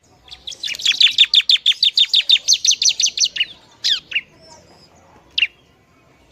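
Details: Bar-winged prinia song meant to rile other prinias: a rapid, even series of about twenty high, buzzy chirps, then a few scattered sharp notes and quiet gaps.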